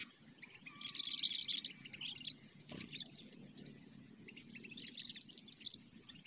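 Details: Sooty-headed bulbul with cengkram-style song, recorded while luring: a loud burst of dense, scratchy high chatter, then softer scattered notes and another chattering run, over a steady low background hiss.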